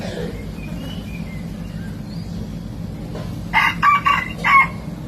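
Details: Hybrid junglefowl learning to crow: a short, broken attempt of three or four rough stuttering notes near the end, over steady background hum and faint distant bird chirps.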